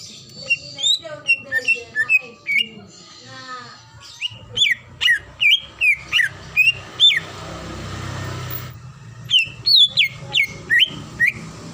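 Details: A female greater green leafbird in breeding condition calls to a male. Long sequences of sharp, inflected whistles repeat several times a second, pausing during a burst of broad noise before resuming.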